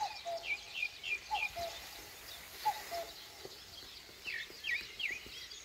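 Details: [7, 'Common cuckoo in the Korean countryside at dawn: soft descending cu-coo calls repeat three times in the first half, with high twittering from other birds joining later.']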